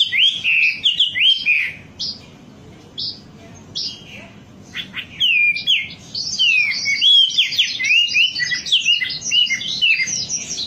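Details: Wambi singing in a lure recording meant to spur birds into song: bursts of high, sharp chirps and quick slurred whistles, a short pause, then a dense chattering stretch.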